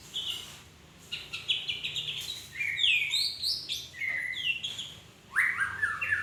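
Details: Magpie-robin singing: a varied run of clear whistled phrases, some sliding up or down and some stacked as rich warbled notes, with short pauses between bursts and a faint low hum in the background.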